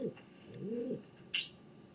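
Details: King pigeon giving a short rising-and-falling hoot, then a longer soft arched coo, followed by a sharp click.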